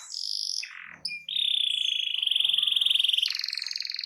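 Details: Canary singing loudly to encourage other canaries to sing. High notes and a short downward slur lead into a long, even, pulsing roll that steps up to a higher pitch.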